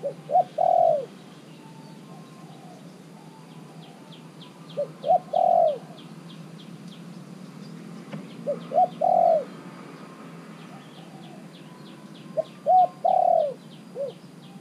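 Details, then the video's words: Caged spotted dove, used to call in wild birds, repeats its cooing phrase four times at roughly four-second intervals. Each phrase has short introductory notes and a longer low coo, sometimes with an extra clipped note after. A steady high chirping runs behind. "ต่อนกเขาใหญ่ เจ้าเล็บกูดเริ่มเป็นต่อแล้ว ด้วยอายุกรงแค่3เดือน สามารถเรียกนกป่าเข้าร่วมได้แบบมีลุ้น"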